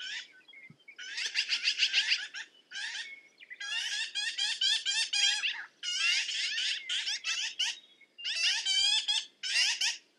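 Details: Harsh rattling chatter of a black-billed magpie, delivered in fast runs of raspy notes separated by brief pauses, about four notes a second.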